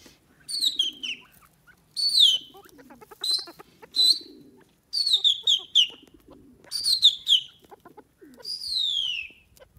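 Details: Francolin eating grains, calling in a loud, high series of harmonic notes that slide downward, given in bursts about every one to two seconds across the recording, with soft low chattering between phrases.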